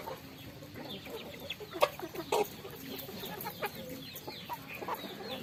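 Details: Flock of farmed chickens feeding on rice, giving low murmured clucks mixed with scattered high peeps, and a couple of louder sharp knocks partway through.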